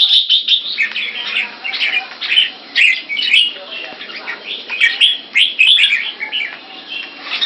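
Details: Two caged red-whiskered bulbuls from Singapore face off in keke training. Rapid bursts of chirpy, warbled phrases repeat roughly every half second, mixed with a few thin, very high squeaks above the main song.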